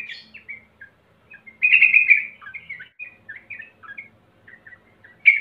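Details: Sooty-headed bulbul, lure recording for untrained birds: scattered short chirps and slurred whistles around one loud bubbly burst, ending on a sharp loud note.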